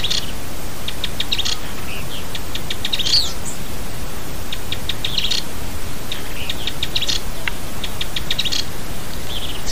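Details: An agitated, rare Rufous-sided pygmy tyrant (Euscarthmus rufomarginatus) on the road to the Peba community, Chapada dos Guimarães, Mato Grosso, Brazil, gives bursts of dry, high ticking notes in quick runs every few seconds, over a steady low rumble.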